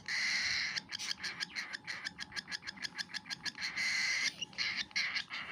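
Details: Cockatiel baby bird eating, a long harsh begging screech, then a fast train of clipped rhythmic pulses about four per second, then harsh screeching again.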